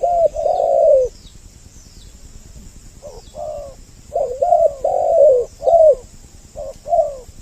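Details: Spotted dove double-voice lure aimed at males and females: one long rolling coo, nearly two seconds of quiet, then a cluster of short and medium hollow coos closely spaced. Faint high chirps and a thin hiss run underneath.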